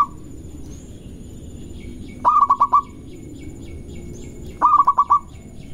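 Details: Local zebra dove giving a quick lure song to provoke rivals: two bursts of rapid stuttered cooing notes, each about half a second long, with a steady faint hum and soft high twittering from other birds behind.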